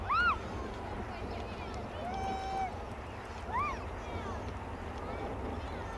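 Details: Bearded tits at RSPB Rainham Marshes in March 2012, near the visitor centre bridge, give two nasal, ringing arched calls about three seconds apart with a fainter flat note between, over low wind and distant traffic.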